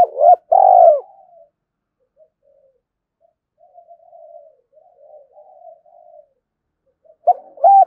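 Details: Spotted dove in the morning, cooing at a rival it is provoking to fight; a loud pair of low coos, the second long and burred, then quiet distant cooing and two more coos at the end.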